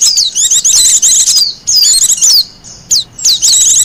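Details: Japanese white-eye in the wild, song meant for luring birds and tutoring caged ones: bright, rapid twittered phrases with sweeping slurred notes, several bursts separated by short silences.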